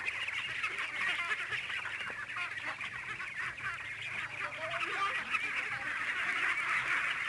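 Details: A large flock of farmed domestic ducks, about 600 head, at San Agustin raise a steady wall of harsh, overlapping quacking calls, swelling slightly toward the end.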